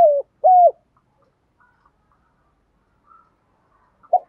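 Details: Spotted dove giving 'thúc gù' urging coos, used daily to stimulate captive decoy doves to respond and coo along: two smooth, low, slightly falling hollow coos in quick succession, a long quiet gap, then one short final coo.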